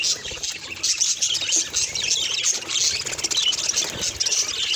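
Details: Budgerigar chattering in a busy, high-pitched stream of squeaks, twitters and short whistles, with scratchy bursts and no pauses.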